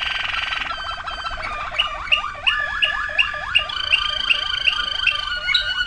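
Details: A Waterslager canary sings a fast trill, then a steady run of liquid, downward-hooked bubbling notes repeated nearly three times a second, with a higher whistled line layered above.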